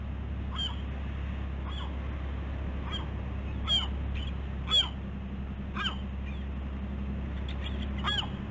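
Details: Bald eagles K-01 and K-91 at the West End nest on Catalina Island, California, on a busy morning of 15 August 2016: a series of high, thin, descending piping notes, roughly one a second, over a steady low hum.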